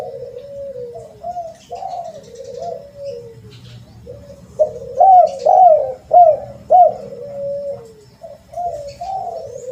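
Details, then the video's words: Spotted dove calling as a lure, soft drawn-out coos at first, then a louder run of four quick hooting notes that rise and fall, followed by quieter slurred coos. "Pancingan Suara Burung TERKUKUR Ampuh"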